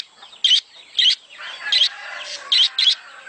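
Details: Budgerigar mating call for encouraging breeding: five loud clipped chirps, the last two close together, separated by quiet murmuring warble.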